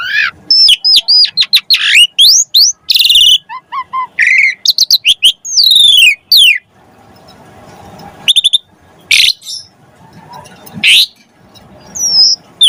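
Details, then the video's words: Singing Asian pied starling used to prompt other starlings to sing: a dense run of sweeping whistled slurs and chips, then quieter stretches with scattered sharp notes and buzzy bursts "Jalak Suren Gacor Pancingan Burung Jalak Agar Cepat Mompa Gacor Full isian Mewah"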